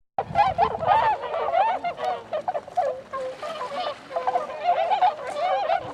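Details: Tundra swans recorded on 26 February 2012, a dense chorus of overlapping honking, bugling calls, many birds calling at once with nasal, slightly wavering notes running continuously through the clip.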